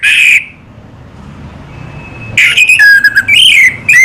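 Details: Orange-headed thrush singing slowly: a clear whistle, a long quiet stretch, then a dense run of warbling whistles that slide down and up, ending in another short whistle.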